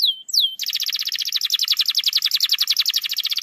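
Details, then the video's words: Canary lure song to prompt a reluctant singer: two sharp swooping whistles, then a long, fast rolling trill of bright notes repeated evenly. "PANCINGAN KENARI MALAS BUNYI"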